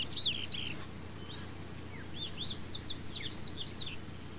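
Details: A female double-collared seedeater (Sporophila caerulescens) calling: high, thin chips and short descending slurred notes in quick, uneven bursts over a low steady hum.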